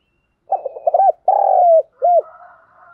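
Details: Lure spotted dove calling other doves. Stuttering short coos lead into a long, full note and a final arched coo, ending in a soft, fading higher murmur.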